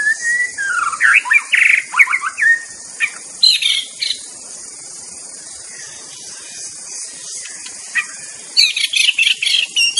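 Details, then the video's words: Wild white-rumped shama song of varied rich whistles and harsh chattering notes at first, a quiet stretch of insect hiss, then fast high chirps near the end. "TERAPI BURUNG MURAI DI ALAM LIAR"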